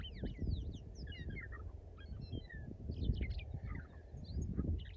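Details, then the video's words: Western meadowlark in the Rock Top area, Washington State, giving quick, bubbling whistles, many rapid rising and falling notes like electronic chirps, R2-D2-like, over a steady low rumble of wind. "the meadowlark sounds like he’s talking to R2D2"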